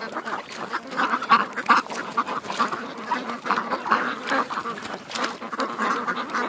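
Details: Group of ducks at a creek calling together, a steady jumble of rapid, overlapping quacks and raspy nasal notes, irregular bursts rising and falling throughout.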